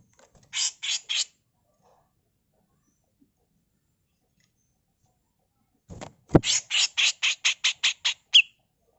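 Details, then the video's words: Harsh 'mbeset kasar' tutor song of a female grey-cheeked bulbul. Three rasping bursts come first, then a pause, a sharp knock, and a fast run of about ten grating notes that ends in a brief whistled tail. "Masteran Burung CUCAK JENGGOT FULL MBESET KASAR || Cucak jenggot betina"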